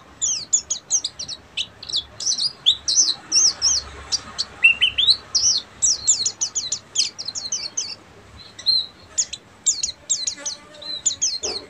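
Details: Oriental white-eye of buxtomi type giving a long ngeriwik song: relentless high chattering twitters and quick zigzag chirps, briefly dipping lower midway, then resuming in rapid clipped notes.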